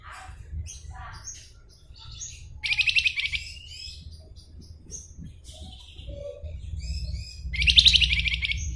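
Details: Singing Flamboyan, gacor: two bursts of rapid, scratchy high chatter several seconds apart, with scattered thin chirps between and a constant low rumble underneath.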